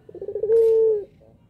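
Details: Fragment of a puter pelung dove coo used to provoke other doves: a rapid low rolling tremor running straight into a half-second steady hum, then quiet.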